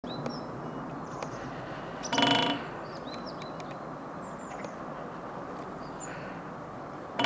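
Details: A woodpecker drumming on a TV antenna: a half-second metallic roll that rings like struck metal, with another roll starting at the end; small birds chirp faintly over a steady background hiss.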